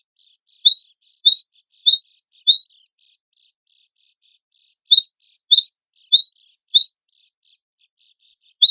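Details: Cinereous tit (gelatik batu wingko) singing vigorously on an Indonesian tutor recording for competition songbirds: very high, thin, sharply sliding notes in rapid runs of about 2.5 seconds, with a quiet pause between bursts.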